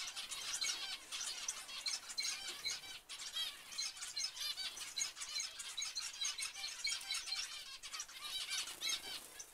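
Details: Zebra finches calling, many short nasal harmonic notes overlapping continuously in a busy chorus, with a brief lull near three seconds.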